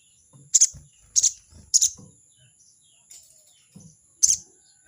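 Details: Crested jay challenging a rival with a 'crecet' chatter: three quick harsh bursts about half a second apart, a pause, then one more, with a constant high tone and soft low knocks behind.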